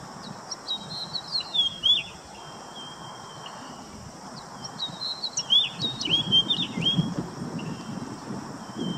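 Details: Domestic common chaffinch singing two bright phrases a few seconds apart, each a quick tumble of sharp chirping and slurred notes, over a quiet background with a low rumble.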